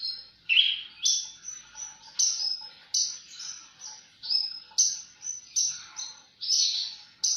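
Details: Javan bush lark pouring out energetic song: bright high notes with sharp onsets, repeated at a brisk, slightly uneven pace, some followed by lower buzzy tails, with little background noise.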